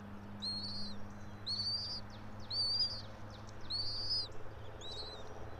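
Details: Nesting bald eagle pair, Johnson City, Tennessee, nest camera in a pine about 90 feet off the ground, early morning 3 April 2024; a run of five high, squeaky whistled notes, roughly one per second, each bending down at its end, with faint background hum.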